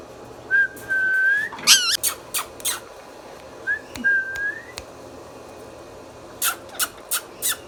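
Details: Indian ringneck parrot, a pet bird, whistling a flat then rising note, letting out a rough squawk followed by rapid taps, then another rising whistle and a burst of clicks.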